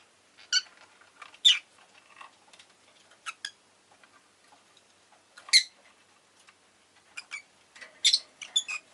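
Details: Pet rosy-faced lovebird chirping in scattered harsh, squeaky bursts, sometimes doubled, at irregular intervals among quieter clicks and light tapping.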